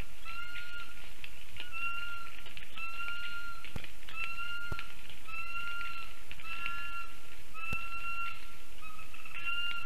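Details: Lesser spotted eagle family near a black stork nest camera in Ogre, Latvia, 19 August 2024 around 1:19 pm, gives level, slightly nasal whistled notes repeated about every second, with a few sharp knocks between.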